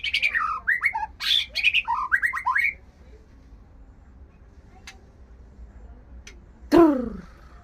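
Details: White-rumped shama in breeding condition ('murai birahi') delivers a rapid run of varied whistles and harsh chatter for nearly three seconds, then silence, then one loud descending squawk-like note.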